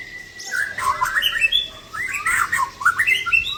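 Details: White-rumped shama (Aceh type, 'klewer' tail) delivering 'isian' song: a held whistle leading into quick, tumbling warbled notes rising and falling, dense and continuous.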